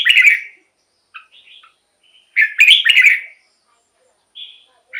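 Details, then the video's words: Red-whiskered bulbul song for exciting caged birds or luring wild birds: a chattering warbled phrase, soft whistled notes, then a longer double phrase of rich gurgling notes and a final short whistle. "เสียงนกกรงหัวจุก สำหรับต่อ หรือ เปิดให้นกคึก เสียงเพราะๆ"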